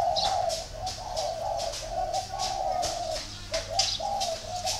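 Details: A spotted dove in a Ba Vi dove garden, northern Vietnam, coos steadily in low hollow phrases, overlaid by rapid rhythmic high chirping from small birds nearby.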